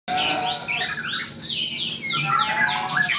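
White-rumped shama singing a rich, fast run of fluty whistles, upward and downward sweeps and rapid trills that shift phrase every half second.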